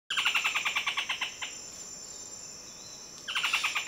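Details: Buff-throated foliage-gleaner recorded in the wild; a rapid series of sharp, evenly spaced chattering notes, about twelve in just over a second, breaks off and resumes after a pause over a steady high insect hiss.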